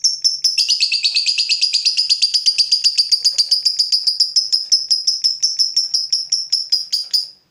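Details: . A fighter lovebird, provoked and heated up by a rival, delivers a long ngekek: a rapid, buzzy chattering trill of evenly repeated high notes held for about seven seconds, slowing slightly and fading at the end.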